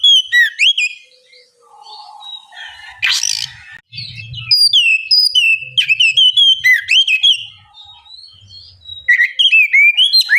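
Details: White-rumped shama singing, played so a reluctant bird will answer: varied rapid whistles and chips with sweeping notes, one harsh rasping burst, soft low rumbling and a brief quiet chatter midway.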